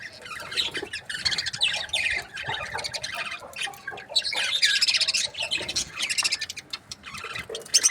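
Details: A budgerigar flock of breeding pairs keeps up steady scratchy chatter, layered chirps, squawks and buzzy warbles rising and falling in intensity.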